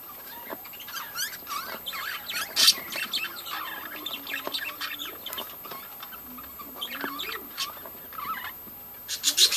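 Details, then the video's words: Many budgies in a breeding colony give a steady, layered chatter of chirps, warbles and short squawks, somewhat quieter and more scattered, with a few louder bursts. "budgies breeding colony"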